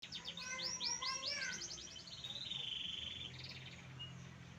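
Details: Canary singing a rapid, varied song: series of bright repeated rising trills, then a sustained buzzy high rolling phrase and scattered chirps, with faint low background hum.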